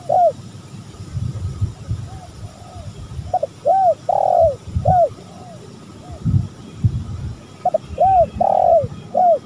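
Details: Spotted dove lure recording with repeated low cooing phrases, each a pair of short notes leading into arched, rolling coos, several in a row with quieter answering coos and low rumbling background noise between them.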